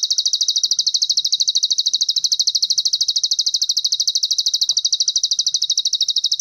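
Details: Plain prinia song from Cililin, used as master material for training songbirds. A continuous, regular, high, buzzy trill of rapid repeated chips runs without a break, over quiet background.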